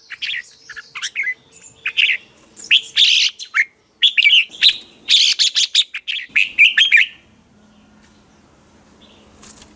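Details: Red-whiskered bulbul practising its hót ché song in the morning, a lure recording for competition-singing training. Repeated loud, chattering whistled phrases come in quick succession over about seven seconds, then quiet with a steady low hum.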